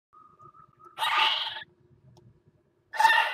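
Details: Northern goshawk at a nest box on the Axel water tower, 5 February 2018, calling during mating on the ledge: a thin steady whistle, then a harsh, broad screeching call of about half a second, and a second rasping burst near the end.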